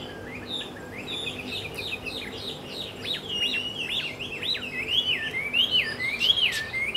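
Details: Taiwan hwamei at Caonanpo on 10 October 2013, singing a lively stream of loud whistled notes that swoop and slur, building in volume toward the end, with a faint low hum beneath.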